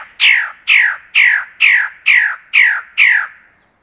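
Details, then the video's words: Magnificent bird-of-paradise giving seven harsh, rasping, downslurred notes, about two per second, over a faint steady high hum. "SUARA BURUNG CENDRAWASIH BELAH ROTAN"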